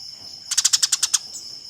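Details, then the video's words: Eurasian tree sparrow fighting, recorded as master audio for competition birds: after a brief quiet start, eight quick, strident chirps in under a second, set against a constant thin high whine. "Suara Burung Gereja Tarung"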